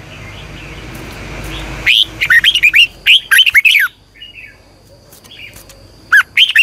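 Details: Red-whiskered bulbul lure song for morning training, a long double twisted style meant to spur caged bulbuls to sing. Rapid bursts of loud, rising-falling whistled notes, a pause with faint murmur, then another burst.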